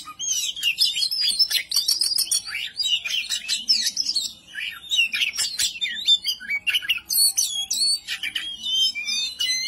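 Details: Agitated ngobra display of an oriental magpie-robin, kacer, provoking rivals: long rapid medley of rising and falling whistles, harsh rasps and clicks, barely pausing, with a short low note near the start.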